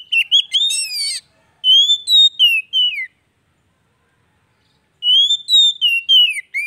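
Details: Song of an Oriental magpie-robin, meant to trigger a bird that has gone quiet: a harsh chattering burst at the start, then sweet falling whistled phrases, a long silence, and another whistled run.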